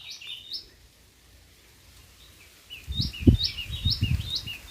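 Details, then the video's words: White-throated fantail in India gives a quick run of thin, high whistled notes that step up and down, over low rumbling wind or handling noise. "White-throated Fantail Bird"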